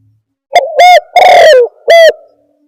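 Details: Spotted dove lure call used for trapping: a run of three or four loud, hollow cooing notes, the longer middle note sliding downward, with no other sounds.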